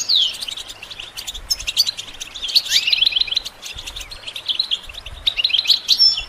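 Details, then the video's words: Goldfinch song for training songbirds, sweet twittering phrases and downslurred whistles over a steady hissing background, repeated in loose bursts throughout. "integrated stimulation suitable for all songbirds for goldfinches"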